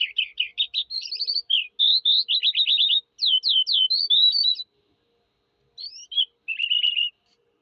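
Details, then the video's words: Eurasian skylark singing: a rapid, continuous run of varied high chirps, trills and slurred whistles for about four and a half seconds, a pause, then two brief trilled phrases; no other sounds. "sky lark bird singing"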